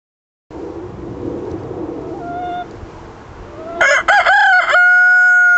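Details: A Cream Legbar cockerel crowing: after a stretch of low background rumble, a loud harmonic crow starts near four seconds with a rough, broken opening and ends in a sustained steady held note.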